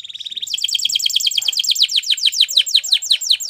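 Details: Spanish Timbrado canary song used for training canaries to sing: a fast series of repeated descending high notes, each sweeping down from about 8k to 3k, delivered in a steady rolling trill after a brief buzzy opening.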